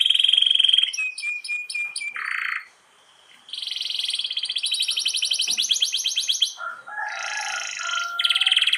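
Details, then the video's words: Canary master song for stuck or hard-to-breed canaries: a high thin whistle, clipped chirps, a buzzy burst, a near-silent gap, then a long fast rattling roll and mixed lower notes. "MASTERAN KENARI GACOR ROL PANJANG cocok utuk ke kenari macet & susah kawin"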